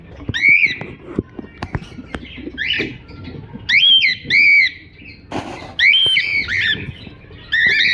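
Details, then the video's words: Chirping and singing cockatiel giving a loose series of short whistled notes, some upslurred, some wavering, in bursts over several seconds, with scattered clicks, taps and faint background noise between phrases. "Cocktail singing and chiriping"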